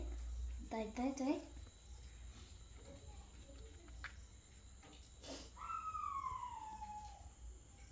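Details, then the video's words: A pet talking Indian ringneck (rose-ringed) parakeet gives a short burst of speech-like talking, then a long, drawn-out falling vowel, in a quiet indoor room. "Talking Parrot | Indian Ringneck Parrot"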